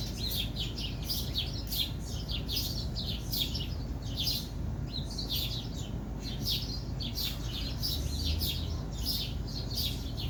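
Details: Unidentified bird giving rapid, high, downward-sweeping chirps in a steady stream, several per second, over a constant low rumble of background noise.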